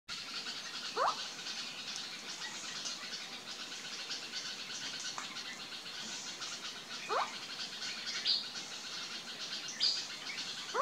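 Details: Indian scops owl in the Aravalli hills, Sikar, Rajasthan, India, June 2021: soft, upward-inflected single 'whuk?' notes spaced two to four seconds apart over a steady high insect chorus.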